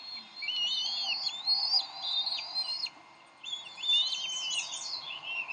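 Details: At the Decorah nest on 30 May 2012, Bald eagles squabble over a delivered fish. Two bursts of high whistled piping are separated by a half-second silence, with the second burst rougher and more broken.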